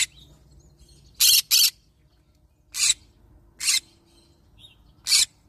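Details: Green-cheeked conure of the yellow-sided form calling in loud, buzzy screeches, a double squawk followed by three evenly spaced single calls, with faint low background noise.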